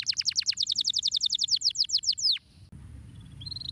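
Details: Canary stimulating song: a brisk trill of sharp downswept notes, about eight a second, stops abruptly, followed by faint high whistles.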